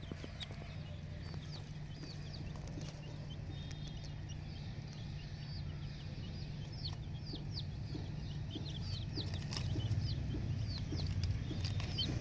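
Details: A flock of ten-day-old naked neck chicks in a poultry farm chirps continuously with many short, high, downward-flicking peeps repeated several times a second, over a steady low hum that grows louder toward the end.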